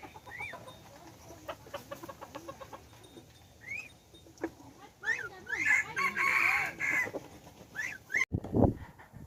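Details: Hybrid red junglefowl decoy rooster, third generation of a domestic and wild cross, dated 10/1/2021, gives a rich broken crow late on, preceded by scattered rising-falling chirps of other birds and followed by a sharp knock.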